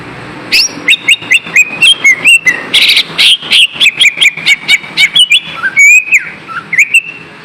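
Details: Lure song of a lesser green leafbird, played so that lazy birds start singing again: a fast, steady run of bright chirps and whistled slurs, with a few buzzier, rougher notes in the middle.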